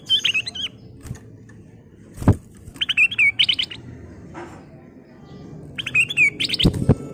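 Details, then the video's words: Kutilang emas, the Sooty-headed bulbul, singing its full song as a lure for birds: short phrases of rapid liquid whistles repeated about every three seconds, with knocks and thumps and steady background hum. "Kicau Burung Kutilang Emas full isian"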